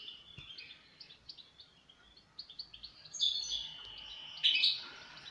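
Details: European goldfinch twittering at moderate distance over a steady hiss of background noise, short high chirps gradually building into louder ringing trills toward the end.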